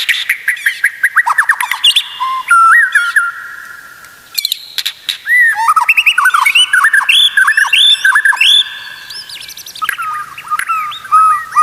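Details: White-rumped shama song for training other shamas to sing: long, rich run of whistled, downward-curving notes, repeated phrases and rapid chattering, with brief pauses between sections.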